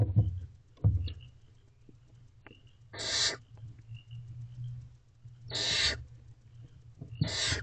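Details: Barn owls in a nest box near midnight, female feeding the owlets. Bumps and rustles open, then three harsh rasping screeches about two and a half seconds apart with faint whistly squeaks.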